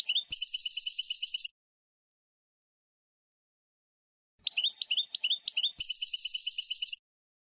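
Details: European goldfinch from Sfax, Tunisia, recorded for song training: an even, rapid trill of bright notes, then after a long pause a twittering phrase that runs into another steady trill, with no background sound.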